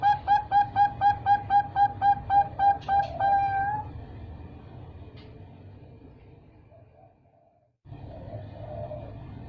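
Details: Three-month-old zebra dove chick of the Bangkok type, farm-bred, giving a fast run of short, clear, even notes about four per second for four seconds, then a faint low hum with quiet background.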